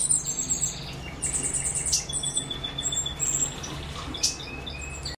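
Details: Caged Cuban grassquit in a new cage giving thin, high, buzzy phrases and short sibilant notes over a steady low electrical hum.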